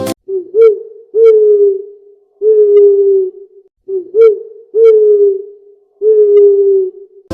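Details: Owl hooting, presented as its real sound in a children's reading lesson: pure, low, slightly falling hoots in a repeated phrase of one short note and two longer drawn-out ones, heard twice, clean with no background.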